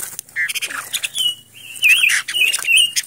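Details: Silver-eared mesia (Leiothrix argentauris), a decoy bird (chim mồi), singing short clear whistled phrases that wobble and rise and fall at a fairly high pitch, broken by brief gaps, with scattered clicks and rustling noises between the phrases.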